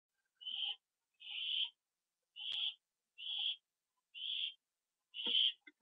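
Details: Owl at a nest on a September 24, 2011 evening, 7:39 PM, around a food delivery eaten on the roof; harsh, breathy hissing screeches, six bursts about a second apart, with a sharp click partway through.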